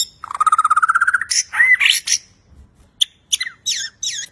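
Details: A Bornean white-rumped shama sings a rapid rising trill of about fifteen notes, then loud whistled slurs and sharp, ringing downward-sweeping phrases.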